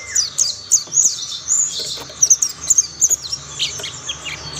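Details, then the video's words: Mountain white-eye singing as others join in: bright, very high chirps and short whistled notes in quick bursts, about one per second, with softer twitters behind. "Tidak butuh waktu lama pleci Monty lain pasti ikut bunyi"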